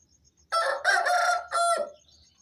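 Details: Aseel rooster crowing at dawn around 4:30 am as a wake-up call: a loud, harsh, multi-part crow in three bursts, the last rising then falling and fading, with a steady pulsing cricket chirp behind.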